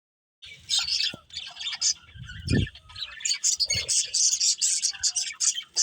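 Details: Budgerigars chirping: dense high warbling chatter with rapid twittering notes, several birds overlapping, plus a few low thumps.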